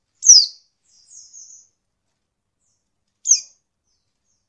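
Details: A female Oriental white-eye, used to provoke males into calling, gives sharp, high, thin chirps slurring downward. The chirps come about three seconds apart with a soft buzzy trill between them, against a silent background.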